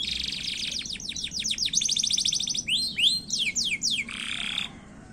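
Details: ['An energetic canary sings a short speed-style song used as a lure to trigger singing. It runs through rapid high trills of repeated down-slurred notes, then a few sweeping whistles and a brief buzzy burst.']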